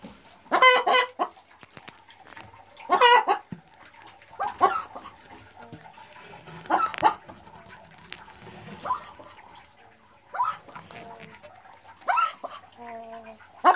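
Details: Boris Brown hen, fresh from laying her first egg on 4 December 2016, keeps cackling: harsh, spaced clucks and short bursts every two seconds or so, softer than before over faint background noise.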